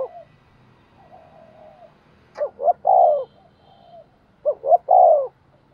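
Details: Spotted dove used as a decoy, cooing all day to provoke wild birds; two repeated phrases of two quick coos and a drawn-out mellow note, preceded by soft low murmuring coos.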